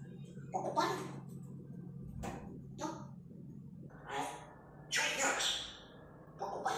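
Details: A grey parrot talks in Russian in short, clipped, human-like phrases such as "Allo" with brief pauses between bursts, in a small indoor room.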